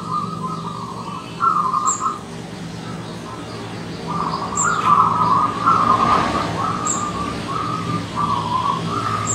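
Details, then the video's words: Wild zebra dove arriving as a visitor, giving repeated rolling trilled coos in bursts of about a second, running almost continuously later on; faint high chirps from other birds and a passing vehicle rush midway. "Kedatangan Tamu Perkutut Liar"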